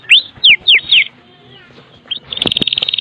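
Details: Kretekan song from a Medan white-rumped shama with full fill-in, meant to lure shamas into singing: four loud sweeping whistles, a short quiet pause, then a rapid high buzzy rattle.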